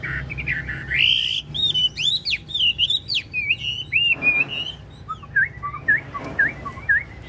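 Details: Chinese hwamei kept as a cage bird, large-bodied, of the 'ngũ trường' style, nodding and dancing as it sings: long rich whistled song of slurred, looping notes, loud at first, then softer rippling phrases.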